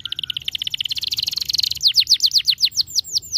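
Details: Canary song to rouse a lazy canary: a fast, dense, high trill that rises slightly in pitch, changing into slower, loud, descending whistled sweeps repeated several times a second.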